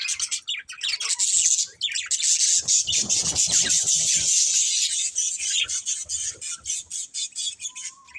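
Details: Breeding pair of budgerigars produce a steady, hissy high warble of rapid chirps, roughly two or three per second, with soft clicks underneath.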